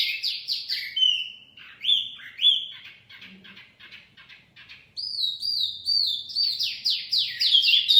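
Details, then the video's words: Mini wambi song used as a lure for catching birds: rapid runs of slurred, downward-sweeping high whistles, a quieter buzzy stretch in the middle, then a dense burst of overlapping chirps. "Kicauan Wambi Mini Pikat Gacor"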